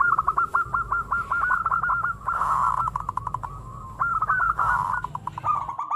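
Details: Lure recording of a local zebra dove: fast runs of short cooing notes repeated steadily over constant low rumbling background noise.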